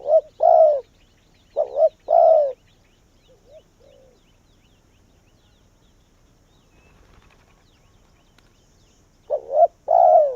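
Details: Decoy spotted dove calling wild doves in: two cooing phrases at the start, short double notes then a long croo, a few soft coos, several seconds of near silence, then another phrase.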